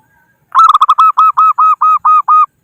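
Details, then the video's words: Local zebra dove used to lure rivals for trapping gives a long, loud series of about twelve coos, rapid and stuttered at first, then slowing into evenly spaced, steady arched notes. "Suara Burung Perkutut Lokal Pikat Gacor Ahlinya Memanggil Lawan"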